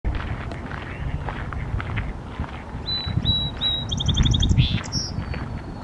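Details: Song sparrow (Melospiza melodia) singing on a Y-shaped twig: three or four clear, even opening notes, then a quick, bright jingling trill ending on a high note, over steady low wind rumble.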